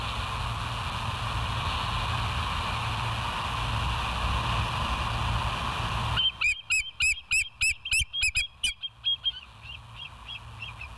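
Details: Bald eagle at West End, filmed by a live nature cam on 07/09/2023 at 06:24. Six seconds of steady low hum, then a rapid series of about ten high, thin, piping notes that rise and fall in quick succession.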